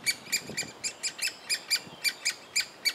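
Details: Great spotted woodpecker young in a willow trunk at Biesummerbos, Delfzijl, begging during feeding; loud, clipped, high chirps spaced roughly every quarter second, with faint low knocks between them.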